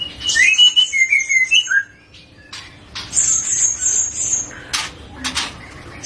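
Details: Young Medan white-rumped shama, still a fledgling-age bird, opening with rapid rolling warbled phrases, then long high thin notes and loud clicking bursts, typical full gacor delivery.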